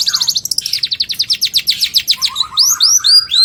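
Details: Long-tailed shrike singing varied fill-ins as bird-tutoring material: a fast trill of evenly spaced high ticks, then loud rising-and-falling arched whistles over a low warble.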